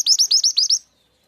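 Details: Truntung weru, the mountain mantenan, used as a bird-catching lure: six loud, high, sharply down-curving chirps delivered in rapid, steady succession over less than a second, then silence.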